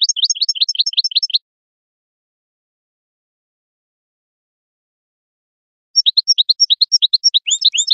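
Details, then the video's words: A European goldfinch sings two bursts of fast, bright, tinkling twitters, about three notes per second, separated by a few seconds of silence. "تغريد الحسون"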